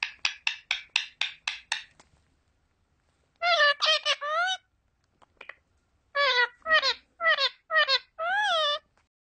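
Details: Indian ringneck parakeet talking: a quick series of seven sharp, evenly spaced squawks, then several rounds of harmonic, word-like phrases with wavering pitch, separated by short pauses, in a quiet indoor room.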